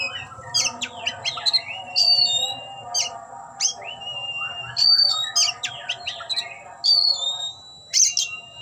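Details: Displaying oriental magpie-robin spreading its tail as it sings a rich run of clear whistles, quick chirps and upward-sliding notes in short bursts, with a faint low hum and a steady high tone behind.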